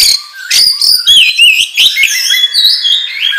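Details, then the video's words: Oriental magpie-robin (kacer) lure song for training birds, a lively, intense singer: rapid stream of loud, high whistled and twittering phrases, slurred rising and falling notes, with short chattering bursts and almost continuous varied song. "Pancingan Kacer Gacor Ngobra Menggila"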